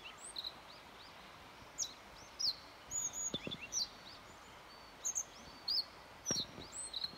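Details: Yellow bunting song recorded on 29 May 2021: thin, high, clear notes given in short spaced phrases over a steady background hiss, with occasional faint low thumps.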